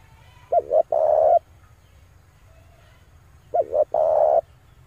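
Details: Male spotted dove calling, used to lure wild doves: a low mellow coo phrase, two short wavering notes then a longer steady coo, repeated after about three seconds.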